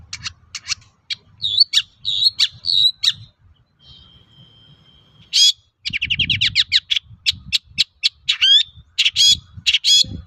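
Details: Long-tailed shrike song for luring other shrikes to sing: clicking chips and whistled notes, a long thin steady tone, then a burst into a fast stuttering run of rising notes, sweeping slurs and sharp chips, over light low background noise.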